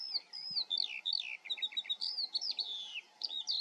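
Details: In the Eifel, Germany, a Eurasian skylark sings a rapid, unbroken stream of high, liquid chirps and warbles, with varied notes tumbling several times a second over a faint steady hum.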